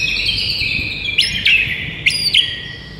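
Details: White-rumped shama morning masteran: sustained high whistled notes with two sharp, bright upward flicks partway through, over faint low background rumble.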